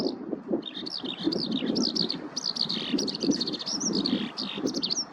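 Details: Skylark foraging on ploughed farmland keeps up a fast, unbroken chatter of high twittering phrases and upslurred whistles throughout, with low rumbling background noise beneath.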